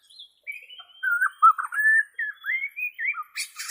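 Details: White-rumped shama of the Borneo type, in its natural voice, offered as training song for captive shamas: a string of clear whistled phrases, rising and falling, mixed with short warbled notes and a brief buzzy burst at the end.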